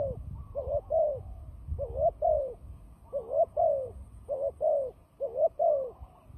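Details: Fighting turtle dove used as a trapping decoy, cooing in short paired rising-falling notes, repeated roughly every second in steady bursts, with low rumbling background noise.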